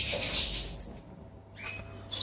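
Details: A male canary in breeding condition sings in an aviary during the 2021 breeding and pairing season, with snow outside. It gives a bright, rapid high trill, then after a pause a few quick rising notes over a faint low hum.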